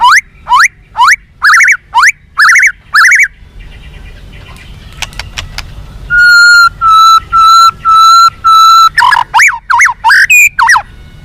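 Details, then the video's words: White-rumped shama song for training captive birds to be more responsive and combative: six repeated rising whistled phrases, a quiet gap with clicks, then six long steady whistles and a final burst of varied notes. "SUARA BURUNG MURAI BATU FIGHTER"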